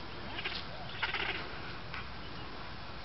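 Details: A Gentoo penguin gives a short, harsh, nasal bray lasting about a third of a second, with fainter calls nearby, over a steady rumble of wind and water. It was at the water's edge at Neko Harbor, Antarctic Peninsula, early morning, 26 February 2009, among many molting penguins.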